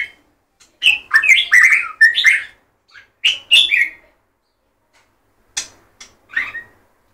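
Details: Song of a white-rumped shama: rapid clusters of varied whistled and chattering notes, then a pause, a second rising burst, and a few scattered sharp chips, all clear against silence.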